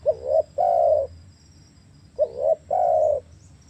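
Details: Spotted dove, played to get silent captive doves calling: two cooing phrases, each a short wavering double coo and then a longer sustained mellow note, over a low steady hum.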